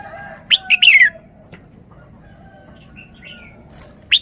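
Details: Red-whiskered bulbul singing its three-syllable song: a quick clear phrase of sharp whistled notes ending in a falling slur, then soft chatter and one more bright note.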